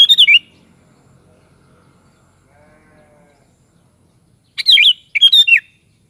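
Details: Sooty-headed bulbul singing short, liquid phrases of rapid slurred whistles, one at the start and two close together near the end, with quiet low background hum between them.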